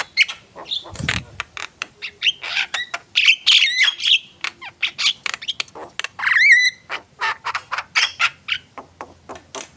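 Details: Javan myna in rapid song with clicking and chattering notes, buzzy squawks, and a brief wavering whistled phrase midway, delivered almost nonstop.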